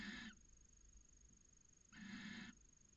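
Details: Nest-box recording of a copulating barn owl pair in Cabañeros National Park, among the first matings of the season; two coarse, breathy screeches, one short and one longer, separated by a quiet gap.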